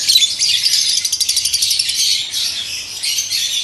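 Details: Fischer's lovebird breeding pair, pet birds, producing rapid, piercing, high chirps repeated about three times a second in a continuous shrill chatter.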